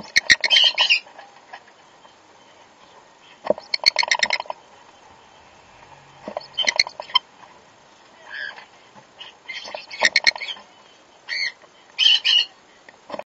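Sun conures giving loud, harsh, screechy squawks in short bursts every second or two.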